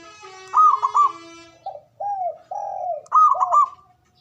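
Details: Male local zebra dove giving the ngoar manggung call, used to stimulate mating arousal: a quick stuttered pair of bright, higher cooing notes, then three lower, mellow drawn-out coos, followed by the stuttered higher notes again, over a quiet background.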